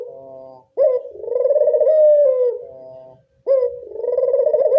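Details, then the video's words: Repeated coos from a local Barbary dove meant to draw in doves: a soft lead-in, then a loud vibrating coo that drops slightly in pitch, and another starting after a brief silence. "Pancingan burung puter lokal"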